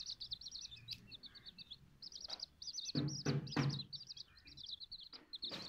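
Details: Silkie and Golden Sebright chicks, a group of young chickens, peeping constantly in rapid high cheeps, with several dull thumps and knocks partway through.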